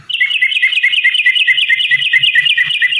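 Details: Long fighting song of a yellow-vented bulbul, used to provoke birds into answering; a dense, steady run of quick bubbling notes alternating between two pitches, with faint low knocks.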